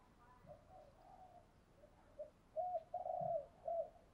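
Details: Spotted dove cooing to set other doves cooing, heard faintly amid hiss: scattered soft notes, then a clearer run of a flat hoot, a longer buzzy coo and an arched note near the end.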